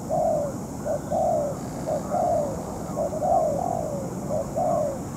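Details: Spotted dove decoy, in moult, used in ground trapping: mellow coos, some gliding downward, in quick uneven pairs, over a soft hiss.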